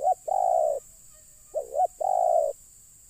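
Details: Spotted dove calling during bird luring as wild birds come down: two phrases, each a short rising coo followed by a long, steady, hoarse coo, over a constant high-pitched hiss.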